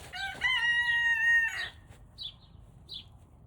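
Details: Young Turken chicken just learning to crow at about 5 am: one strained, high, thin crow held flat for about a second, then breaking off, with small bird chirps after it.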